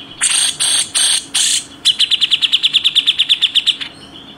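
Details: Tutor recording of a grey-cheeked bulbul: four harsh raspy bursts, then a brisk train of ringing high notes, roughly eight per second, dense and evenly spaced for about two seconds.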